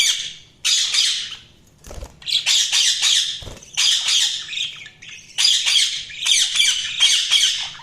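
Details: Budgerigars chirping, harsh raspy squawks and chatter in bursts of about half a second, separated by brief pauses, with a steady low hum beneath.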